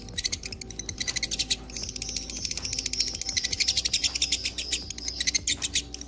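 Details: Lovebird, fighter type, delivering an extended ngekek: fast pulsing high chirps merging into a steady trill, with a faint low hum underneath.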